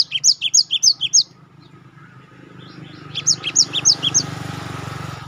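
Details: Cinereous tit (gelatik batu) singing in a master training recording meant to make kept birds sing; two bursts of high, sharp two-note phrases repeated rapidly about three per second, separated by a quiet gap with a faint low hum.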